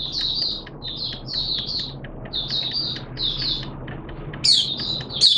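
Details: Malaysian mata puteh (Oriental white-eye) kept as a hobby bird, in buka sing singing: short bursts of high, thin, warbling twitters separated by brief pauses, over a steady low background hum, ending louder.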